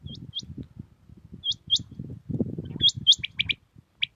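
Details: Common quail (batair) in Pakistan, singing at dawn: pairs and triplets of clipped, high, upward-flicking notes spaced across a few seconds, backed by a low background rumble.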